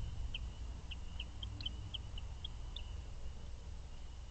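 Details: Chimney swifts arriving on the first night of roosting at an artificial chimney tower in Valencia, Pennsylvania, 5 May 2023: scattered thin, high chips, several per second at first, then sparser, over a steady low rumble of wind or distant traffic.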